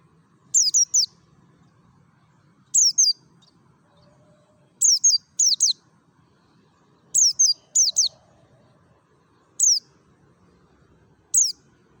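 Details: Ngalas-style song of a Merapi mountain white-eye, high piercing downslurred notes given in short clusters of one to three, repeated about every two seconds, with a soft low background hum.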